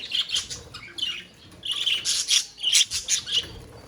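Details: Budgerigars calling together in a colony: bursts of bright, squeaky chirps and chattering warbles in overlapping clusters, with short pauses between bursts.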